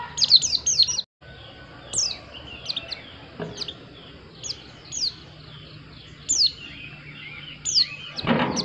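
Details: White-eye repeating high, sharp downslurred whistles singly and in short clusters every second or so, with a steady low hum and a rustling noise at the end.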